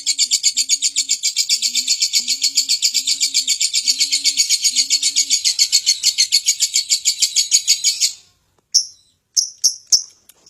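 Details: Lovebird song used to draw song from surrounding birds: about eight seconds of dense, rapid, buzzy chatter, then a pause and a few short sharp chirps; soft low cooing notes sound underneath early on.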